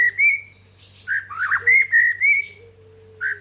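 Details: White-rumped shama singing, Indonesia: clear sustained whistled notes, some slurred and wavering, a brief burst of harsher notes in the middle, then a final short whistle, with a steady low background hum.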